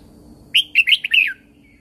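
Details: Caged Red-whiskered bulbul in Thailand singing a training song in the 'Super Jack' style, meant to rouse other birds. One rapid phrase of about five clear, bouncing whistled notes ending in a downward slur.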